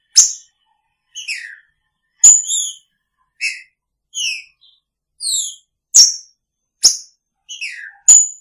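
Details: Loud, busy series from a caged green-winged saltator with its female: bright whistles, downward slurs and sharp click-like notes alternating rapidly, nearly every second, without background noise.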